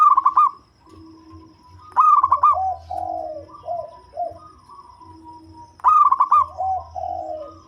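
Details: Local zebra dove with a deep, bass voice, kept as a lure for catching birds: three stuttering, rolling coo bursts, each followed by lower, softer cooing notes. A faint low hum sits underneath.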